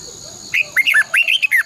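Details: Red-whiskered bulbul in a cage, used as a decoy for training, giving a quick phrase of about seven rich, looping whistled notes with bright overtones.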